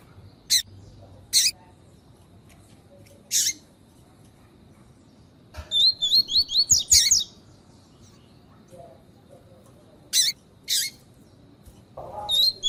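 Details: Female Lined Seedeater (coleiro tui tui) calls, used to warm up and train males: sharp, high squeaky notes at irregular intervals with a brief burst of rapid twittering in the middle; quiet background hiss.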